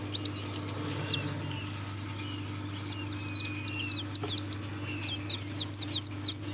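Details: After about three seconds of near quiet with faint distant peeps, Serama chicks break into loud, regular high cheeps, around three per second, over a steady low hum.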